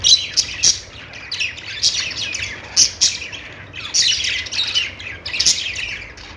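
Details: Budgies calling with sharp, clicking chirps and scratchy squawks mixed into a continuous high warble, the louder notes coming irregularly every second or so.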